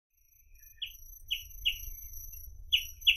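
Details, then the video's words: Reed parrotbill (Paradoxornis heudei) giving short, slightly buzzy chip notes, five separate notes spaced irregularly within three seconds, with a soft low rumble underneath. "Как поёт Сутора тростниковая"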